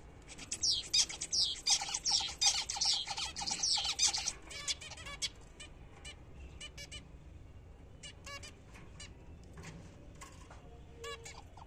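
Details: Several caged pet zebra finches chatter during morning feeding on apple and seed: a dense, loud burst of overlapping nasal beeps for about four seconds, then scattered single calls and pairs over quieter low hum.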